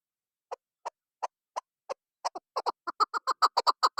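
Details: Chukar partridge kept for hunting, calling in a series of clucking notes that start slow and spaced, then speed up and grow louder into rapid, rhythmic chuk-chuk bursts over about four seconds.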